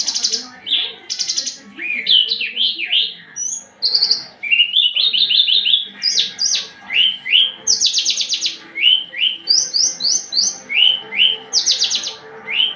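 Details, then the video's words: Javan bush lark wanting to mate, courting another bush lark. Long, rich outpouring of twisting whistles, buzzy rattles and series of short high chirps, delivered rapidly with hardly any pause. "branjangan lagi over birahi minta kawin"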